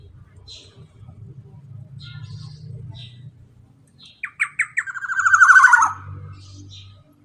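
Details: Black-naped oriole giving a long rattling 'ropel' song phrase, used for tutoring birds that have stopped singing: after a quiet low hum, a few short rising notes lead into a loud buzzy rattle that slides downward and fades.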